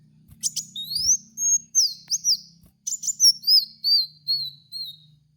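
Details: Sunbird known locally as kowul, recorded as a lure for cage birds: dense high chatter of clicks and looping whistled slurs, a brief pause, then another run of wavering notes.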